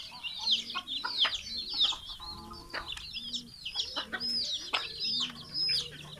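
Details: Many chickens, large and small, calling in the morning as they are let out of the coop and fed, Betbari, Fulbaria, Mymensingh, 6 October 2018; a dense chorus of high, thin, down-slurred peeps overlapping, with a few soft low clucks beneath and a steady hum.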